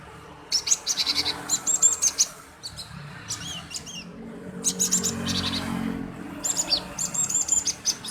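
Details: Male cinereous tit in lively voice, chirping used as a lure to provoke other birds into singing; rapid bursts of sharp, high chirps, four clusters over eight seconds separated by short pauses, over a faint low background hum.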